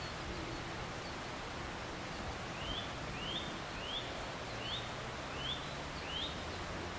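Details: Eurasian nuthatch song recorded 12 April 2015, the unseen bird having visited the filmed tree several times: a series of six quick, rising whistles, one roughly every two-thirds of a second, over steady wind and rustling.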